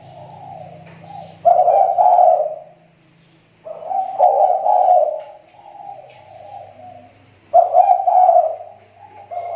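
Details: Spotted dove kept as a lure bird in the Riau Islands, its voice recovering after a recent drop: three bouts of low, husky, rolling coos, each lasting about two seconds and separated by short pauses, with a faint hum underneath.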